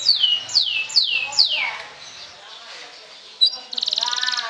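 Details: Kenari sobek canary in its provoking trill style: four clear downward-sweeping whistles, a pause, then a fast buzzy trill starting near the end.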